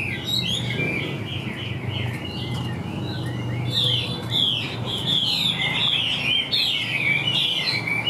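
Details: Caged Chinese hwamei with good, even song: a dense stream of bright, quickly modulated whistles and trills, strengthening after the first few seconds, with soft low-pitched background hum throughout.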